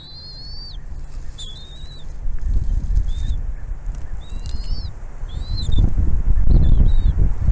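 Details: Bald eagle mother bringing food to her chicks at the nest: a clear opening whistle followed by short, high, bending notes at uneven intervals, as wind noise grows steadily louder.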